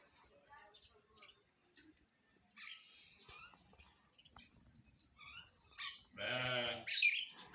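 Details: Myna singing in the morning: a scattered run of short chirps and clicks, then a loud, harsh, croaking note and a sharp whistle near the end.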